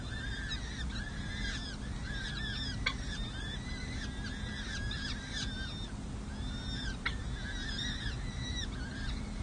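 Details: Wild peregrine falcon nestlings, four chicks six to seven days old, feeding at a city hall nest in San Jose on 7 May 2024; a dense chorus of shrill arched squeals, several overlapping, with occasional clicks and a constant low urban drone.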